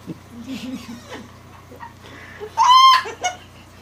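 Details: Cockatoo kept as a pet, having fun barking, laughing and teasing: faint speech first, then a loud, strained, harmonic cry lasting half a second, followed by a short softer note.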